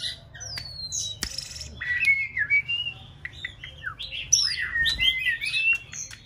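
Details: Female white-rumped shama aged six months rehearsing its song, with a thin falling whistle, a sharp click, then a lively stream of warbled, twisting whistles and short chirps rising and dipping.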